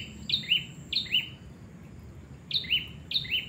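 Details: Female Black-winged Flycatcher-shrike, used as a lure to attract males, giving high, thin paired notes, a sharp upslurred chip then a lower one, repeated about every half second, with a soft background hiss.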